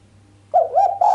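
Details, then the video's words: Female island collared dove giving a sharp cooing call without the 'kuk' ending, said to stir up the male; after a half-second of quiet, a short run of throaty, wavering mid-pitched coos, over a steady low hum. "Suara derkuku betina mbekur tajam tanpa kuk bikin sang jantan greget"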